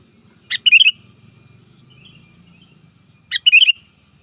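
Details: Two phrases of sooty-headed bulbul song used to call rivals in the wild, each a sharp note then a quick trio of bubbly whistles, separated by about three seconds of quiet low rumble and faint distant chirps.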